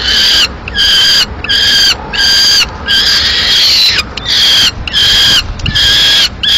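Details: Peregrine falcon nest in Madrid, 15 May 2016, with prey just delivered by the male, a living swift killed by the female; steady string of loud, harsh rasping cries with short regular breaks.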